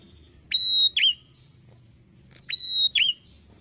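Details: Bar-winged prinia singing: a clicked start, a long flat piercing whistle, then a brief warbled dip. Two such phrases are heard close together against a soft low rumble.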